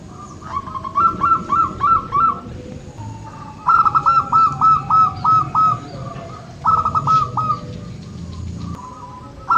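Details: Local zebra dove, played to prompt reluctant birds into song: three bursts of rapid, staccato cooing notes, each phrase about a second long, separated by short pauses, with fainter softer coos from other doves in the background.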